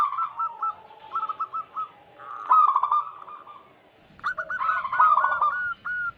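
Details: ['Zebra dove song from local wild birds, played as a lure for wild doves. Short runs of staccato coos alternate with rolled, trilling phrases. Louder overlapping song returns after a quiet gap.']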